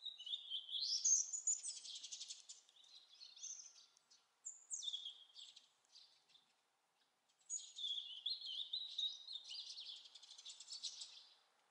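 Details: European robin singing on 11 November at Lipka, Wielkopolska: high, liquid warbled phrases of thin whistles and trills with short pauses between phrases; faint background hiss.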